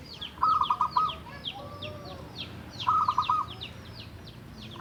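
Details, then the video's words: Javan zebra dove, a local wild bird kept for seven years and singing freely to coax silent doves: two rapid beaded coo bursts, each of several quick notes, against busy high chirping. "Perkutut lokal Jawa gacor untuk pancingan perkutut yang malas bunyi"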